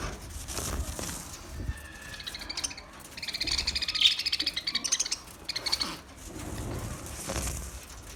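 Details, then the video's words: Talking budgie giving bursts of rapid high twittering and scratchy warbled phrases, pausing briefly between bursts, over a low background hum. "Parrot talking voice Sounds of Budgie"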